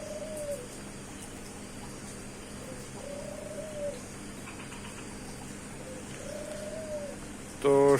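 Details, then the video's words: Dove cooing near a tea garden bungalow: three soft, low, slightly rising-then-falling coos spaced about three seconds apart, with a steady background hum and a brief clatter at the end. "তো সবাইকে ঘুঘু পাখির ডাক শুনিয়ে আজকের মতো এখানেই বিদায় নিচ্ছি।"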